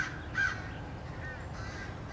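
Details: American crows mob a bald eagle trying to hide and defend himself at his nest, March 2016; a couple of short, hoarse caws over a low, steady background hum.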